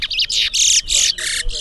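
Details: A towa towa seed finch sings during a bird singing competition in Berbice, a rapid, unbroken run of bright, buzzy, warbled notes, about six phrases in under two seconds, high-pitched and scratchy, as the song count is called out.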